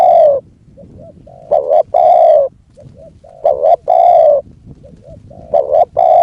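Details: Decoy spotted dove luring a wild bird, giving three deep, hoarse coo phrases. Soft short coos lead into each one, then a stuttered pair of notes and a sustained drawn-out coo, repeating steadily.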